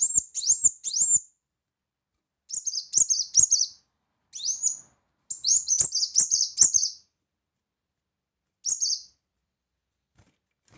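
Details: Sharp, high, hurried chip series from a brown-throated sunbird in loud chattering tutor song with 'shot' phrases, delivered in several bursts between brief silences, with occasional upslurred whistles.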